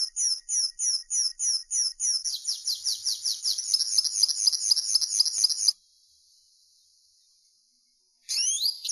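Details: Linnet singing a series of sharp, high notes about three per second. The notes then speed into a dense, rattling trill, followed by a pause and a new twittered phrase.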